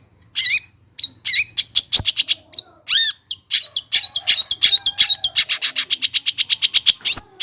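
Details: Cendet song played to set idle birds singing: rising whistles and harsh wavering notes lead into a rapid, even rattle of scratchy chirps lasting several seconds.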